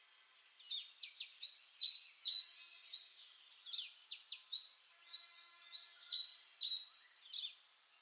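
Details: Song of an Oriental magpie-robin (Copsychus saularis): repeated clusters of piercing downslurred whistles and sweet flat notes, each cluster lasting under a second, continuing steadily through the recording with faint background hiss.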